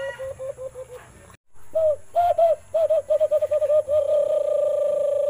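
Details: A white-eared brown dove in the Philippines gives runs of mellow, hollow hoots that speed up into a quick series and end in a long, steady drawn-out note.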